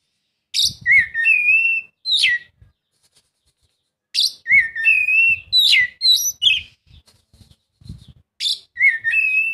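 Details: Oriental magpie-robin song as a lure to get other birds singing: three similar bursts of loud, sweet whistled phrases separated by pauses, with quiet low knocks in the background.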